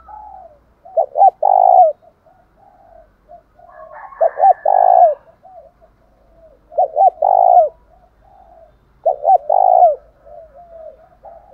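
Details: Decoy spotted dove calling with a fighting coo that provokes other doves to respond. Four loud phrases about every three seconds, each two clipped notes and a drawn-out coo, with soft dove murmurs between.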